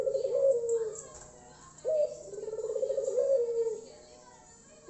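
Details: Loud-voiced Puter Tangerin/Irak dove, used as a lure to set other doves singing: repeated low coo phrases, each opening with a sharp upward note and running into a vibrating, rolling purr before fading, about three phrases.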